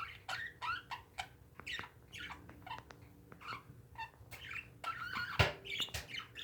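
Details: Several pet parakeets chattering in a busy stream of scratchy chirps and squawks, with thin tonal whistles and a sharp knock or clatter near the end.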